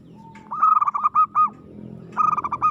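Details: Local Indonesian zebra dove singing aggressively: two quick bubbling coo phrases, each a run of rapid pulsed notes ending in a longer coo, after a soft thin opening note, with low background noise.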